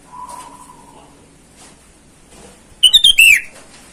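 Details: Wild sooty-headed bulbul calling to rivals, a lure call for wild birds: after a faint low hum and quiet pause, one brisk phrase of rapid bright whistles closing with a downward slur.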